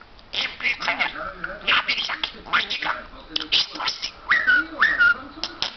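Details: Parrot kept as a pet and mimicking words in English, German and Turkish, producing a run of voice-like syllables with rising and falling tones and a few clear whistled slides toward the end.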